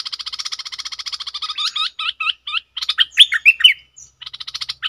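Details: Caged Red-whiskered bulbul decoy giving a rapid buzzy rattle, then hooked chirps and loud liquid slurred whistles, before the fast chatter resumes.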